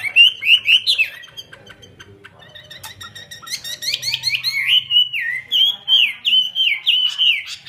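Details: Chinese hwamei singing in the fanned-tail style with an eagle-wing display, in a series of loud, slurred whistled phrases that rise and fall, with short pauses between bursts and faint clicks behind.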